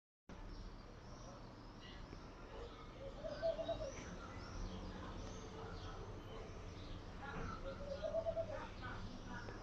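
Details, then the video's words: Laughing dove cooing: two short, soft bubbling coo phrases about four seconds apart, each a quick run of low notes. A steady background rumble and faint higher chirps from other birds run throughout. "Laughing Dove Coing!"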